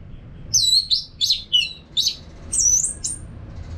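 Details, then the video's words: Orange-headed thrush in a cage singing as a training sound for other birds: a short series of high, sweet whistled phrases, some rising and some falling, with slight gaps and steady background hum. "ANIS MERAH GACOR TIADA HENTI TANPA NGETEM BAGUS BUAT TERAPI BURUNG AGAR IKUT NGEPLONG NYAUT"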